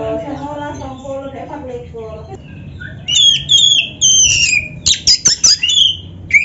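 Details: Lure song of a black-breasted kacer: opens with lower, harmonic nasal notes, then breaks into high whistled slurs and a rapid series of sharp chattering bursts.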